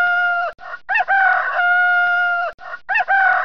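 A rooster crows loudly: a hoarse, ringing cock-a-doodle-doo with a long, level drawn-out note, then breaks off and starts a second crow.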